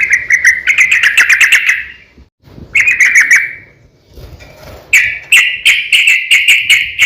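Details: Sooty-headed bulbul fighting song with long rapid phrasing, used as a lure to make other bulbuls answer: three bursts of fast, bright chattering notes separated by short pauses, the last burst loudest.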